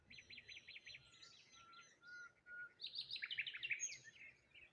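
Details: Morning bird chirping by the water near a solitary tree: a run of five quick repeated notes, a few soft whistles, then a dense twittering burst of high chirps.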